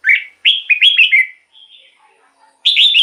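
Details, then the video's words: Caged red-whiskered bulbul, singing to excite other birds or lure wild birds: a quick chain of slurred, bouncing whistles, a thin higher note, soft low twitters, then another loud warbled burst. "เสียงนกกรงหัวจุก สำหรับต่อ หรือ เปิดให้นกคึก เสียงเพราะๆ"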